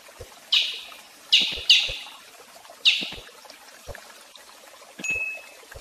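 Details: Brazilian tanager giving four sharp, bright chip notes at uneven gaps, each falling quickly away. A single higher, thin, level whistled tone closes the sequence against a quiet background with faint low clicks.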